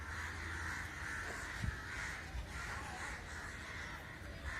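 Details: Crows gathered in a large, unexplained flock keep up a continuous din of overlapping harsh caws, with a couple of brief knocks and low hum underneath.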